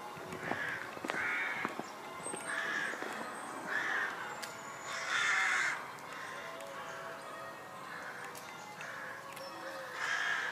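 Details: Rooks calling around St Mary's church, Pulford, near Chester, England: a series of rough, grating caws, several overlapping, repeated roughly every second, with one louder drawn-out caw midway and quiet rural background.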